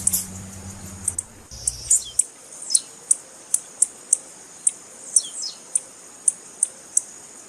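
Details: Female blue-black grassquit (tiziu) calls, used to excite and stimulate a male's singing: sharp, very high ticking notes repeated about every half second, with a few thin descending slurred notes and a brief low hum at the start.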